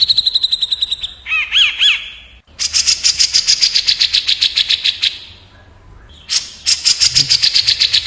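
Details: Grey-cheeked bulbul (cucak jenggot) in a fast 'tembak' rolling song duel against a kapas tembak bulbul: bursts of rapid buzzy repeated notes high up, a few looping whistled slurs, and short pauses between phrases.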